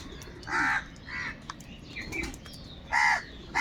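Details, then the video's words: Crows calling with loud, hoarse caws, two strong ones about two and a half seconds apart and a weaker one between, while thin chirps of small birds continue underneath. "Kaka sound and noises of Crow birds | All types of Crow sounds | Very loud voice of Crow sound"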